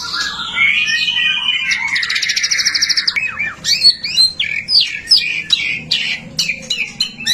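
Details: Prolific white-rumped shama song played to get other shamas singing: high sweeping whistles and a buzzy trill, then a series of sharp, quick whistled notes.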